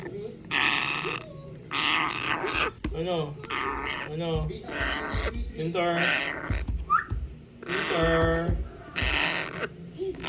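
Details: An African grey parrot (Psittacus erithacus) mimics, chattering in speech-like phrases mixed with gurgling, burp-like grunts and a single short rising whistle, in a small indoor room.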